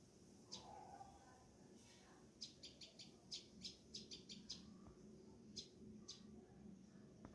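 Green-backed Sparrow giving a run of sharp, high chips, about a dozen in two seconds, then a few scattered notes over a low background rumble.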